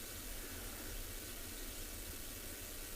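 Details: Steady broadband hiss with a low rumble, like wind or engine noise, and no animal calls heard.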